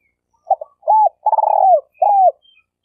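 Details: Decoy spotted dove prized for trapping wild birds, cooing clearly in a quiet setting. Two brief soft notes, a rounded arched coo, a rolling burred note sinking in pitch, then a last smooth arched coo.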